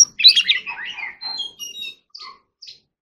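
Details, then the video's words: Forest-voice training song of an Oriental magpie-robin: a burst of jumbled chirps and slurred whistles that trails off into a few faint, thin piping notes. "choè than hót giọng rừng"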